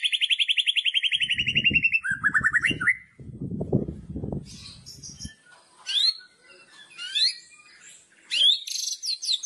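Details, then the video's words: White-rumped shama giving loud kretekan to trigger another shama: a quick high trill drops into lower notes, muffled thumps overlap, then scattered sharp whistled upslurs and squeaks. "KRETEKAN Keras Kicauan Merdu Sangat Jitu Memancing Emosi Murai Batu"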